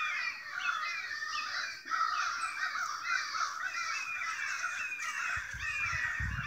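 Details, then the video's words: Many crows calling together outside a house, excited by something unseen; harsh, overlapping caws form a constant clamorous chorus, a few sharper rising notes standing out, and a low thump of wind or handling toward the end. "A murder of crows!"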